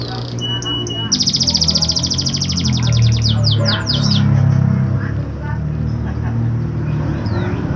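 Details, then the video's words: Canary song used as a lure to stimulate canaries reluctant to sing: fast, bright rolled trills of rapidly repeated high notes for about three seconds, then fading, over a steady low rumbling background noise. "Pancingan Burung Kenari Malas Bunyi"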